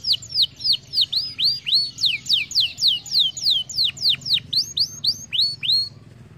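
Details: Canary singing in a recording meant to encourage birds to sing, delivering a steady run of clear, high, descending whistled notes about three or four per second, some deeper swooping notes near the end, then fading.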